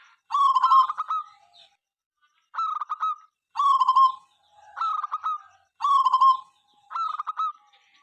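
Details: Zebra dove of local breed whose busy singing sets other birds going; six alternating rolling phrases of rapid coos, roughly one each second, with brief quiet breaks.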